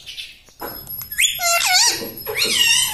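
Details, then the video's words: Pet parrot talking indoors in a small room: after a faint click, a run of bright, harmonic, wavering syllables with quick up-and-down pitch bends, fairly voice-like, lasting about two seconds. "Talking Like a Human - Mummy Bolne Wala Tota - Talking Parrot"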